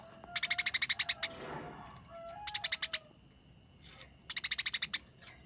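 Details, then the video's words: Eurasian tree sparrow fighting, its song described as rolling, long, dense chattering with a clear voice: three bursts of rapid, harsh, high chirps, about ten per second, separated by short pauses and faint softer notes. "Masteran Gereja Tarung Konslet Gacor Ngerol Nyerecet Rapat Panjang Suara Jernih"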